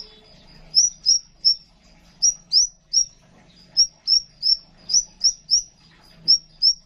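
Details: Crimson sunbird giving sharp, very high chipping notes, two or three a second in uneven bursts, over a faint low hum; a master recording used to prompt silent captive birds to sing.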